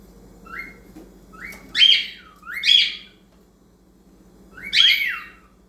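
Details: A male cockatiel singing to teenage cockatiels, giving bright, rising whistled phrases, each sliding upward and ending in a warble.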